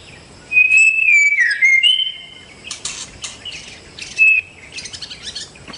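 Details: In the wild, a white-rumped shama sings rich whistled phrases that slide down and then step up, followed by rapid sharp clicks and chatter and a final short whistle.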